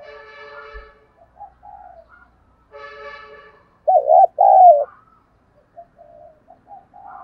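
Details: Spotted dove with a fine voice, cooing to set decoy doves calling: a loud double coo of wavering notes in the middle, softer coos around it, and two bursts of a buzzy, harmonic-rich sound in the background.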